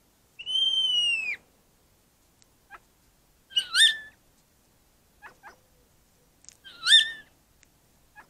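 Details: Singing common starling in a December garden: a long, falling whistle, then two bursts of complex, rattly, squeaky phrases about three seconds apart, with faint clicks between them.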